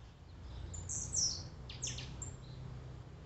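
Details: Blue-black grassquit song played to stir up a caged bird: a few very high, sharp buzzy notes, one longer shrill slurred note, then a pair of quick downward sweeps, with a low background hum.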